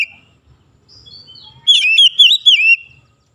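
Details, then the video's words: Oriental magpie-robin in morning sunlight gives a short phrase. Soft thin notes build into three loud, rolling whistled slurs that dip and rise, then stop into silence. "SINAR MATAHARI PAGI SANGAT AMPUH MEMBUAT KACER LEBIH GACOR"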